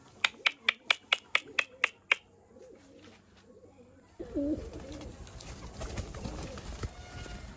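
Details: Pigeons being called home for grit, some of them outside birds; a quick series of eight sharp taps, then soft low coos that turn louder and rolling amid rustling and a man's calls.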